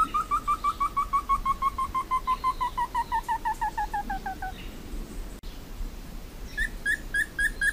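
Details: Slaty bristlefront (entufado) song: a long run of rapid, clear whistled notes, about three per second, sliding steadily lower in pitch over four seconds, then a brief pause and a fresh higher series beginning.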